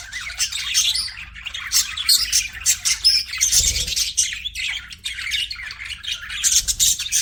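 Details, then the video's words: Budgerigar flock chattering, many birds producing fast scratchy chirps, squawks and warbled notes in an unbroken high stream, with a brief low thump near the middle. "BUDGIES CHIRPING SOUND"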